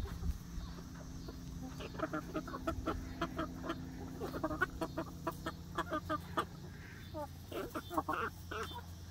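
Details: New flock of young laying hens in their first day in an outdoor backyard coop run, keeping up a busy stream of short, sharp clucks and chatter, with a faint steady hum behind.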